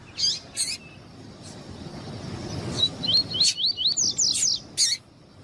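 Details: Captive male variable seedeater of the tuí-tuí song style answering a calling female, used to warm up tournament birds: a few sharp high chips, then a fast run of zigzag whistled notes over about two seconds, with a quiet background hiss.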